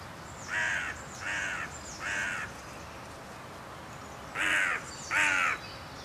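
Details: Carrion crows in a gang, Voßmoor, 17 April 2023, in an uproar, perhaps disturbed by a kite: five harsh, hoarse caws, three evenly spaced, then a pause, then two louder ones, with faint high chirps of small birds behind.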